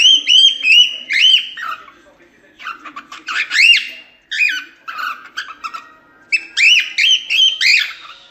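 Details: Cockatiel producing rapid chattering warbles: clusters of short arched whistles, some descending, and harsher squawky notes in irregular bursts.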